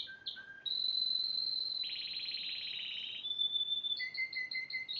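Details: A yellow Spanish timbrado canary sings short notes, then a long pure whistle, a broad rattling trill lasting over a second, and evenly spaced doubled chips to close.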